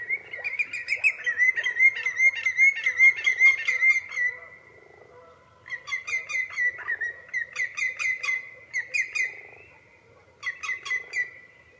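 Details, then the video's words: Common greenshank calling loudly in bursts of rapid ringing, slightly buzzy notes, several seconds long, separated by short pauses, repeated about two to three times a second. "صوت الطيطوي اخضر الساقGreen shank sound _call"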